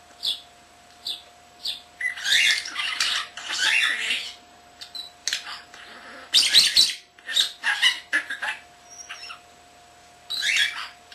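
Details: Young caged common starling indoors, imitating words and household sounds: short high chirps, then raspy chattered phrases in bursts, with a steady faint electrical hum underneath.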